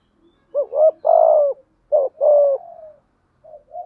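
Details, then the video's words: Spotted doves, male and female, cooing to excite wild-caught doves: two low, mellow phrases, each a short hooting note followed by a longer drawn-out coo, with the start of a third phrase at the end; quiet background. "tiếng chim cu gáy kích bổi giọng bài bản. giúp bổi xiêng gáy và nổi rất nhanh"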